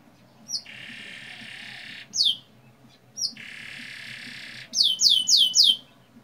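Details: A young canary lure recording: long, buzzy rolling trills over a second each, alternating with bursts of quick, high, downward-sweeping chirps; a faint low hum underneath.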